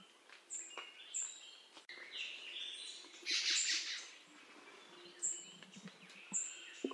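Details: Black-throated magpie-jay giving one loud, rasping, broadband squawk in the middle, surrounded by quieter scattered high whistles and chirps from other birds.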